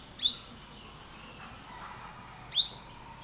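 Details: Olive-backed Sunbird giving two sharp, high upswept chirps about two seconds apart, each rising quickly, over a faint steady hum and quiet background.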